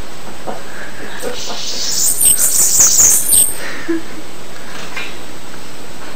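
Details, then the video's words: A Bananaquit gives a brief hissing, high-pitched twittering phrase of rapid squeaky notes for about a second and a half, amid soft background noise. "CANTO DA CAMBACICA"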